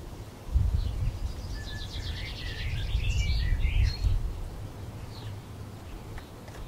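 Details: European robin feeding on a branch, 26 February 2020: a dense, varied warbling phrase lasting about three seconds, mixing high trills, twittering notes and short whistles, followed by a few faint high notes, over low background rumble.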